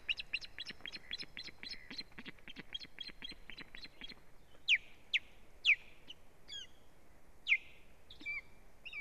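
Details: Osprey at a nest on a live stream, 1 May 2017, as strange ospreys attack the female: a rapid run of thin, high, evenly repeated chirps, then louder, sharp, downslurred whistled cries spaced about a second apart.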